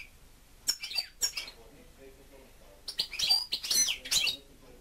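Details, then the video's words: Home-kept European goldfinch song: short tinkling notes, then a longer burst of rapid twittering and buzzy chirps near the end, recorded indoors. "(Goldfinch) 2. STICLETELE STICLUTZA CANTA"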